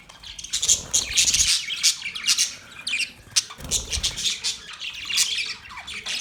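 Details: Australian parrot budgies give bursts of sharp, high squawks and quick chirps in uneven clusters, with short quieter gaps between the louder flurries of chatter.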